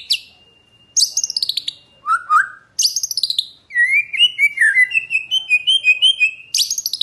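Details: Morning lure song of a White-rumped shama meant to raise the aggression of other shamas. A long whistle is cut by falling buzzy chatters, then a string of quick, bouncing whistled notes.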